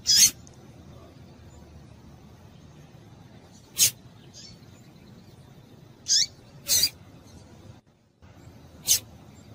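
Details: Female yellow-bellied seedeater (papa-capim) calling to set males singing: sharp, high, very brief chirps at irregular intervals, some in quick pairs, with a short silent break near the end.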